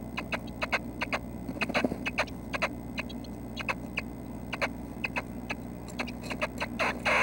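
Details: Nuthatches at their nest at 6:30 am on May 25, apparently ready to leave it that day; short clicky chirps come in uneven bursts over a steady low hum.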